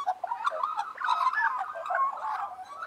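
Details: Magpies warbling in harmony, a busy, unbroken jumble of short gurgling and clicking notes weaving together throughout.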